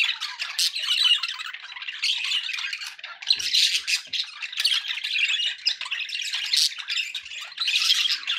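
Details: Pet budgies in a group give nonstop raspy chatter and warbling, broken by louder shrill squawks that burst out every second or two over the constant background twitter.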